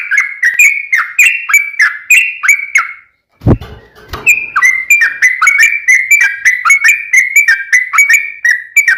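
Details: Sooty-headed bulbul long rolling song, a lure to make other bulbuls answer: repeated clear whistled phrases stepping between two pitches, a short break with a low thump, then the whistling resumes.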